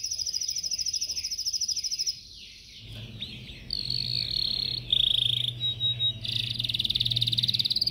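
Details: Caged yellow canary singing during training: rapid trilled rolls of high, evenly repeated notes, a short pause near two seconds, then buzzy sustained trills and bright whistled tones, with a faint low hum underneath.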